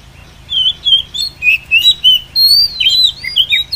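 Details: Female Oriental magpie-robin lure call for trapping wild birds: a quick string of sweet, varied chirps and short warbled notes, rising and falling in a lively pattern.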